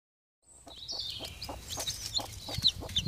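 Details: Broody hen with three chicks hatched on October 5th, late in the year, among fallen leaves; low repeated clucks under many high thin chick peeps, starting after a short silence.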